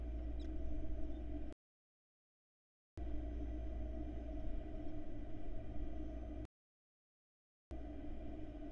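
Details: Steady low electrical hum, broken by two stretches of complete silence, with no animal sound.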